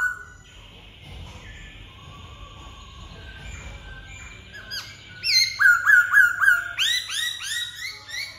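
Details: Black-throated laughingthrush starting quietly with soft, drawn-out notes, then breaking into a fast, regular series of loud, sharply falling whistles and richer ringing phrases.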